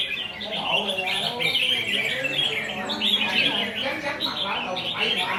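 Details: Recently trapped wild red-whiskered bulbul, still showing wild feathers, sings a steady run of quick, chattering whistled notes with little pause, over soft background talk from people nearby.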